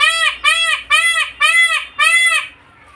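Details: Peacock in a bird garden giving five loud, nasal, arched honking notes in quick succession, about one every half second, each rich in harmonics, before falling silent.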